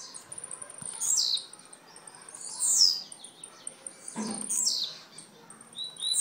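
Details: Blue-black grassquit from Jacarepaguá, Rio de Janeiro, Brazil: high, buzzy, falling phrases about every one and a half seconds, with thin high tones and a soft low knock between them.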